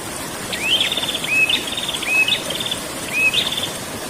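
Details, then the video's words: Prinia singing in the rolling 'ngerol' style, used as mastering audio for kept birds: four phrases, each a quick rising whistled sweep flowing into a dry buzzy trill, repeated about once a second over a steady soft hiss. "burung prenjak ngerol"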